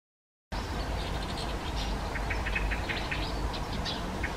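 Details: Hawfinch calling in a garden: a loose series of short, sharp ticking notes at a fairly quick pace over steady low background rumble.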